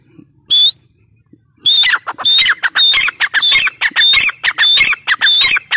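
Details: Grey francolin, known locally as teetar, opening with a single harsh note, then launching into a loud rapid series of squawking, clipped calls, roughly two per second, in a dense rhythmic run.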